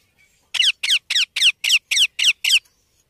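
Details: Young Indian ringneck parakeet calling eight times in a long, even series of raspy, descending squawks, about four per second, with little else heard.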